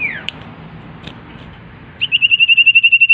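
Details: Common iora singing energetically with a varied repertoire: after faint background noise and a couple of short notes, a fast, even trill of bright whistled pulses runs steadily for over a second.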